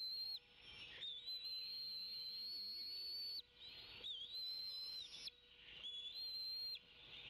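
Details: Pair of Bald eagle eaglets on the Decorah nest, 25 May 2016, waiting for and squabbling over fish before the mother feeds them; three long, pure, high whistles, each slightly wavering, separated by brief pauses.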